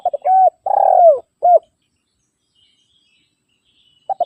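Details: Spotted dove calling to rivals, for luring wild doves and tutoring birds kept at home: quick stuttered notes, a level coo, a long burred coo sliding downward and a short final coo. A new phrase begins at the end.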